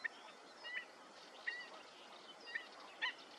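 Wood sandpiper giving short, thin whistled notes, single or clipped in pairs, roughly every second, over a steady background hiss.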